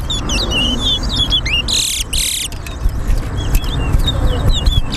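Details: Towa towa, the chestnut-bellied seed finch, competing in a bird singing race at Harbour Bridge. Quick high whistled and slurred notes come in bursts, broken near the middle by a short loud hiss of noise, with steady low rumble beneath.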